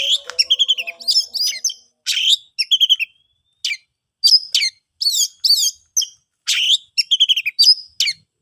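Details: Ngeplong-style song of an oriental magpie-robin, used to prompt quiet birds to sing: dense sequences of rapid chips, twisting whistles and scratchy notes, repeated in bursts every second or so.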